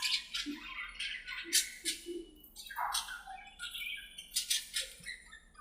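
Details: Budgerigars in their aviary talking to each other while playing: overlapping chirps, short whistles and raspy bursts that rise and fall in quick succession.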